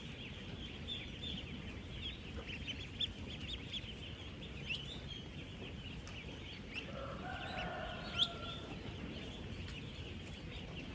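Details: On a duck farm housing 16,000 ten-day-old ducklings, countless high peeps blend into a continuous chatter over low background rumble, with a brief louder tonal call near the middle and a sharp click toward the end.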